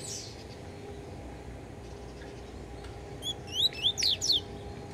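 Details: Yellow-bellied seedeater singing while still affected by beak moult: after about three seconds of steady low hum, a quick burst of high, sharply sweeping and slurred notes tumbles out, ending in a few louder down-slurred whistles.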